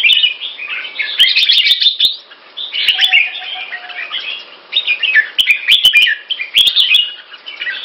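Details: Singapore-kept red-whiskered bulbul in loud, clear Pama Dha (Burmese Sword) style song: repeated tumbling bursts of chirpy warbled notes in three main runs, punctuated by sharp clicking sounds and a brief low steady tone.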